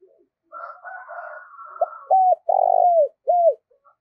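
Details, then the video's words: Decoy spotted dove calling to provoke rival doves: a soft buzzy rolling prelude, then one clear cooing phrase of a short note, a looped coo, a long vibrating coo and a falling final coo. "Chim Cu Mồi Thúc Và Gáy Gọi Cực Đỉnh"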